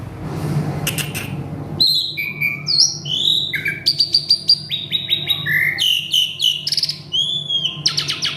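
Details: Agitated male Asian pied starling singing a varied mimicry medley: loud whistled slurs, rising and falling sweeps, rapid clicking bursts and short chirps in quick succession over a faint low background hum.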